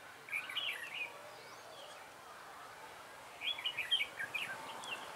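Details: Red-whiskered bulbul decoy luring birds into a trap, 3 November 2017, giving two bursts of rapid bubbling warbles about three seconds apart, with a faint hiss between them.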